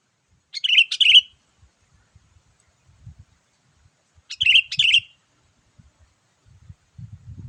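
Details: Sooty-headed bulbul lure call in the lively gacor manner, meant for wild birds: a bubbly double note, silence about three seconds, the same double note again, with faint low thuds between.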